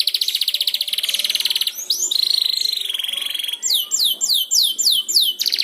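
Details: Learning canary twittering (ngeriwik), prompted by another canary: a rapid rattling trill, a sustained warbled buzz, then a series of sharp downsweeping whistles and a final trill.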